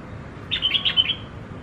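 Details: Tamed red-whiskered bulbul, accustomed to people after one week, singing: a short run of about five quick, bright whistled notes rising and falling, over a quiet low background hum.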